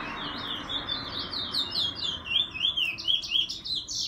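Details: Bullfinch in a morning tryout song: a fast run of wavy, high whistled notes, about five per second, swelling and fading over a low steady hum.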